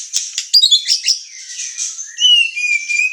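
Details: Murai batu, the white-rumped shama, singing energetically as a lure to provoke emotion: scratchy high chatter followed by clear sustained whistles that drop in pitch near the end.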